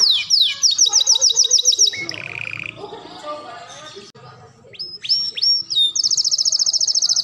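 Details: Masteran canary singing with melodious cengkok for training young birds: a quick rolling trill, a buzzy phrase, soft twittering, sharp upswept notes, then an extremely rapid high trill.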